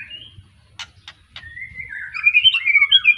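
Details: Caged young white-rumped shama, newly past juvenile plumage, Arko Tangerang line, Petarukan, Pemalang: three dry clicks, then a drawn-out whistle swelling into loud, fast, tumbling warbled notes.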